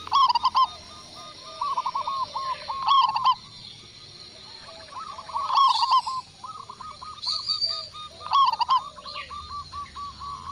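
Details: In Indonesia, a local zebra dove answers a lure with several loud phrases of fast, stuttering coos spread across the recording, amid steady quieter cooing from other doves.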